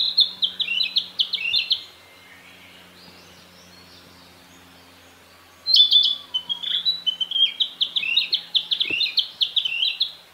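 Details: Wild Narcissus flycatcher singing in green spring foliage in northern Harima, Hyogo, Japan: a fast series of bright whistled notes, pause of about four seconds, then a loud burst and long run of repeated warbling whistles.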